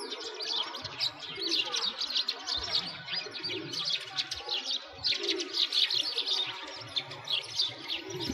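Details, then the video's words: Many sparrows twittering together in winter near a frozen lake, Bratislavsky Park, Moscow, Russia; a continuous, chattering chorus of high chirps that swells and eases in waves. "Sparrows singing"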